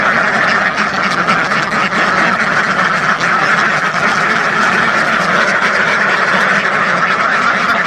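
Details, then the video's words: Thousands of ducks together make a steady roar of quacks, countless voices blurring into one continuous, even chorus with no gaps. "SUARA BEBEK WEK WEK ASLI KETAWA , DUCK SOUND EFFECT , SUARA BEBEK ASLI SUARA RIBUAN BEBEK"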